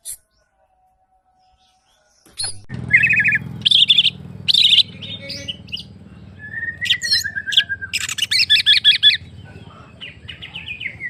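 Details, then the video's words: Greater green leafbird singing a varied, harsh phrase in the gacor ngentrok style of a caged bird, with scratchy high bursts, a descending whistled trill, then a rapid chattering run over a low background rumble. "Cucak Ijo Gacor Ngentrok Jambul Tembakan Rapet Kasar Variasi Juara"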